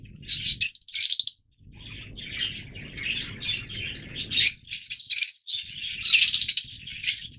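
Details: Captive Yellow Fischer's lovebirds chattering: loud shrill shrieks open, then a run of quieter buzzy twittering and more bursts of high piercing calls, over low background rumble.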